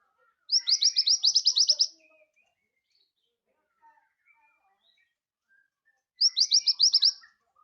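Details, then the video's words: Scarlet minivet in lively song: a fast string of about ten thin, rising whistled notes, a quiet gap with scattered faint chirps, then a shorter run of the same notes. "Suara sepah raja merah gacor cocok untuk masteran"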